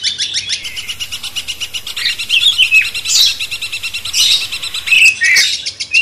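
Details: Master song of a cucak cungkok bulbul meant to excite a magpie-robin: jumbled chirps and clear whistled slurs, loudest near the end, over a continuous rapid rattling buzz.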